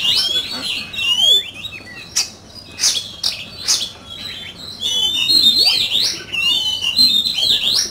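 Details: Oriental magpie-robin in fierce competitive dueling song: rich, loud whistled phrases with sliding and warbled notes, broken by sharp chirps and clicks, delivered in near-continuous bursts with brief gaps.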